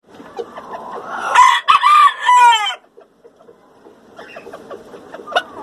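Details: Ornamental rooster, one of the breeds Onagadori, Brahma, Poland, Kapas or Batik, crowing in the morning: a loud, harmonically rich crow of several drawn-out syllables lasting about a second and a half, then softer clucking and scattered clicks.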